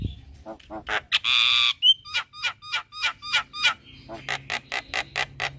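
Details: Javan myna morning practice song meant to coax a silent bird: a long harsh buzz, then evenly spaced short sharp notes, closing with a series of raspy pulses.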